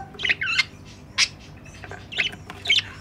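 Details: Pet budgerigars, a hoped-for breeding pair, beside their nest box: scratchy squawks and warbling chirps come in short bursts about every half second, over a steady low hum.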